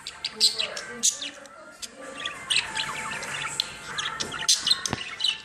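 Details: A pet budgerigar, excited by music, warbles in a busy stream of chirps, clicks and scratchy notes, with faint music behind.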